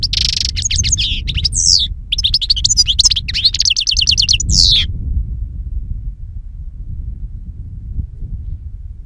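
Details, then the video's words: European goldfinch song for luring birds to capture: a dense, tumbling stream of high twitters, trills and slurred notes for about five seconds, then only low rumbling. "Chardonneret qui chante"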